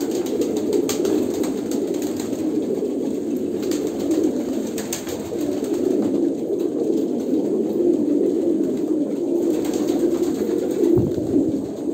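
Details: Pigeons in Kolkata, India, cooing together as a steady low murmur of overlapping soft, rolling coos, with occasional sharp clicks and taps in the background.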